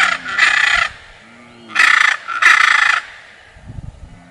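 Three loud, harsh, raspy squawks from a blue macaw, each about half a second long, with faint low sounds in the gaps between them.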